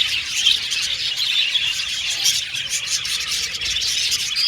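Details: A crowd of budgies in an aviary twitters nonstop, high scratchy chirps and occasional squeals overlapping into dense flock chatter.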